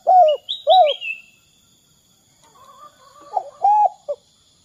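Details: Spotted dove in the 'kuk 2' pattern, a lure for other doves: two hooked coos at the start, quiet gap with soft low warbling, then more coos, with a bright descending whistle from another bird early on.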